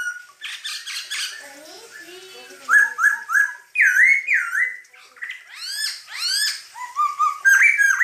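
Masked laughingthrush singing a loud, varied run of slurred whistles, some rising and some falling, in quick bursts with brief pauses.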